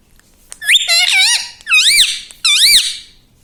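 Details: Green pet parrot indoors speaking "mummy papa": three loud, clear, wavering utterances in quick succession, each with strong rising-and-falling pitch contours, filling almost the whole clip.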